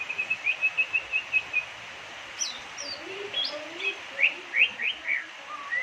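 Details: White-rumped shama in Indonesia, said to sing an unusual song mimicking the name of Indonesia's president: a rapid series of short high whistled chirps, then varied slurred rising and falling whistles, fairly quiet over background hiss.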